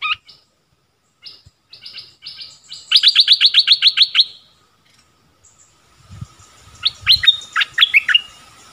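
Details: Streak-eared bulbul: scattered soft chirps lead into a fast, loud series of about ten clipped notes. After a quiet gap comes a burst of jumbled, sweeping whistled notes, with a faint steady tone underneath.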